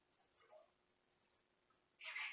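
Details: Pet Senegal parrot that also meows like a cat, says words and whistles: faint soft notes, then a loud harsh broadband scream of about half a second indoors.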